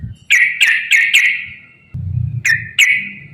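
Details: Yellow-vented bulbul song played as a lure for other bulbuls: four quick sharp whistled notes, the last drawn out into a fading tone, a pause with low hum, then two more notes ending in a sustained whistle.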